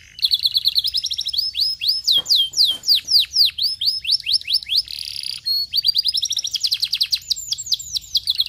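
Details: Canary singing, used to stimulate other canaries into song: rapid repeated downward-sweeping notes in rolling tours, a brief harsh buzzy burst midway, then quick rising trills continuing without break.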